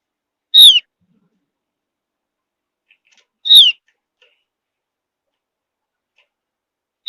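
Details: Javan grey-throated white-eye from high mountain forest, its whistle reputed to prompt other birds to sing: crisp, high, downslurred notes roughly every three seconds, separated by quiet gaps.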